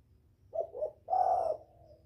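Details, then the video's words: Spotted dove calling to draw in a male, a quieter phrase of two short coos and one longer steady coo over a steady low hum in the background. "Tiếng chim cu gáy gọi kích bổi, gọi trống cực hay"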